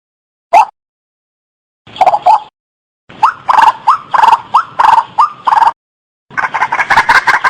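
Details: White-breasted waterhen giving loud, hoarse croaking notes in bursts, about one and a half per second, ending in a harsher run of overlapping calls; the call is used as a lure to attract waterhens.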